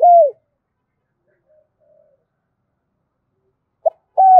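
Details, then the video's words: Spotted dove calling with fired-up coos used alongside a decoy bird: one arched hooting coo, near silence, then a brief clipped note and a further level coo. "tieng cu gay kich boi nhanh noi/ Thúc gáy gọi căng lửa dùng kích bổi"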